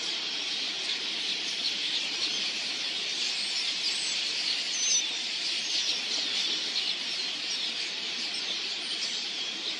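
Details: Millions of red-billed queleas descending on a watering hole to drink, their combined calls forming a constant shrill chattering din, with occasional distinct thin whistled notes above the mass.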